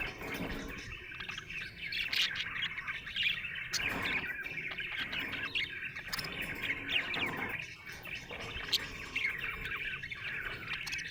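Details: Happy budgie chirping: a long, unbroken stream of chattering, scratchy twitters and short whistled notes, rising and falling in loudness with brief dips between phrases.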